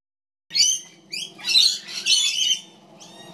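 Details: Magpie chick being fed by its mother: a few harsh, raspy squawks with broad high noisy energy, in bursts over about three seconds, over a faint low hum.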